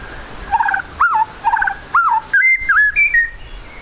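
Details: White-rumped shama singing trotol style as a lure to make birds sing quickly: low looping whistles alternating with chuckled notes, then higher level and wavering whistles.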